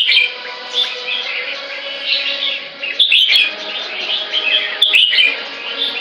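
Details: Loud, varied song of a caged white-rumped shama, a male with a tail almost eight inches long and still growing; rich whistled and chattering phrases run continuously, with sharp clicks near three and five seconds.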